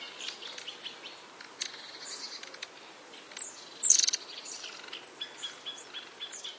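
Long-tailed tit calls: thin, high twittering notes scattered through, with one louder burst of buzzy chatter midway, over faint outdoor hiss.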